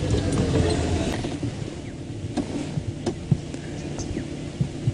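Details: A vehicle engine rumbles steadily with scattered clicks and knocks, and no animal voice stands out.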